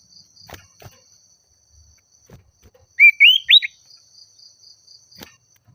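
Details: Common iora in full song, calling out a rival and agitated: a quick run of three loud whistled notes, each sweeping upward, against a steady high insect drone and faint clicks.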